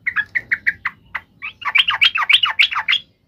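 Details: Provoked fighting call of a yellow-vented bulbul, cuk emosi ngalas tarung, meant to make birds answer; opens with spaced single chirps, then speeds into a dense bubbling warble, with faint low background rumble.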